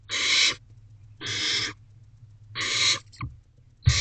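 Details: Barn owl owlets huddled together in an owl box just before midnight on 18 May 2023; loud harsh rasping hisses about half a second long, repeated roughly every second and a quarter, with soft shuffling thumps between.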